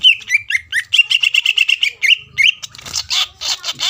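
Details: Greater green leafbird song used to provoke a rival: a fast series of repeated clear whistled notes, then a rising slur and harsher, buzzy chattering notes at the end.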